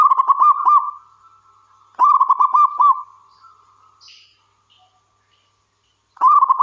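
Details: Wild local zebra dove in full song, a lure bird used to draw other doves into calling: bursts of rapid, rolling cooing notes with a bright trill, repeated about every two seconds, followed by softer trailing coos.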